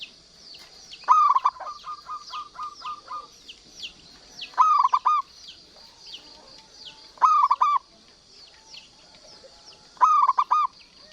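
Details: Local Zebra dove in full song, kept as a tutor recording for doves that sing little: four staccato cooing phrases, one stretched into a long run of even beats, spaced about three seconds apart, over a constant high whine and falling chirps from other birds.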